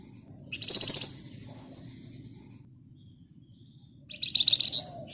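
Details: Flamboyan bird singing a tight rapid trill, its lure song for drawing other birds, in two loud bursts of fast pulsed high notes about three seconds apart over a low background hum.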